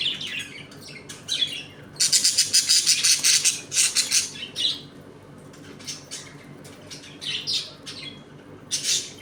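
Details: Home colony of budgerigars eating, playing and fighting: a loud stretch of rapid harsh chattering and squawks, then sparser chirps and warbles from several birds indoors.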